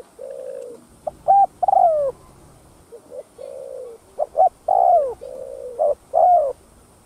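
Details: Repeated thúc gù cooing of a spotted dove, used to stimulate caged doves: steady low coos broken by loud clipped notes and long coos that drop in pitch, about four phrases over several seconds.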